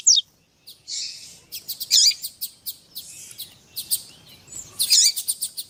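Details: Caged-bird warm-up of a double-collared seedeater, male song mixed with a female's calls meant to urge the male to sing; sharp high chirps, rattling buzzy bursts and scattered clicks.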